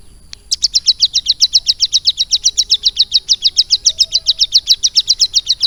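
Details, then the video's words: Caged mountain prinia (ciblek gunung), kept and trained for about three months to sing lovebird-style phrases, delivering a fast, high, even series of sharp chirps, nearly four per second for over five seconds, with a faint steady high hum behind. "CIBLEK GUNUNG GACOR ISIAN LOVE BIRD"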